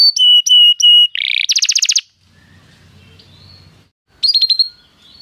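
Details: Canary song for prompting a caged canary to sing: three clear flat whistles, a short buzzy trill and rapid chirp series, then near silence with faint background rumble before a brief closing trill.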